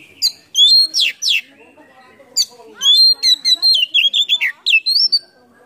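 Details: Full mimicry-filled song of a kacer, the Oriental magpie-robin, with its tail spread, played to excite silent birds: loud whistled bursts, a quieter gap, then a long rapid string of sweet warbled and slurred notes.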